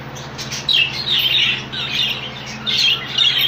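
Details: Rainbow budgerigar colony: bright, scratchy chirps and chattering phrases overlapping in short bursts, with a faint steady hum in the background.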